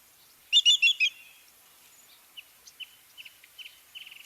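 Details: A Greater Yellowlegs, a shorebird breeding in Newfoundland, gives its clear ringing call: four loud whistles in a quick even series, then a run of fainter, shorter high notes.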